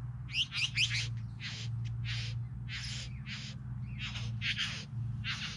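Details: Three bowerbirds; a quick cluster of grating notes, then a run of broad, wheezy, churring bursts at irregular intervals, against a droning low hum.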